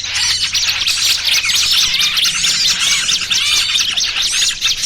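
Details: Trapping lure of small birds, trucukan ribut combined with burcil kejepit, giving a thick mesh of thin high chirps and arcing whistles that rise and fall continuously.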